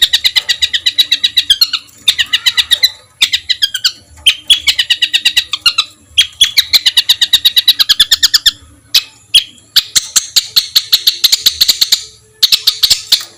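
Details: Songbird training master for competition birds with coarse 'shot' fills: dense bursts of fast chattering trills broken by short pauses, then higher, harsher buzzing phrases near the end.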